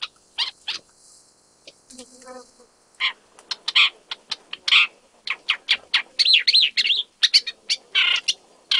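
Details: An Isabelline shrike in Jiangjun District, Tainan, Taiwan, on 25 December 2023, the first record on Taiwan's main island, gives a rapid irregular run of harsh clicking chacks and scratchy chirps, with a brief high warbled phrase and faint low hum.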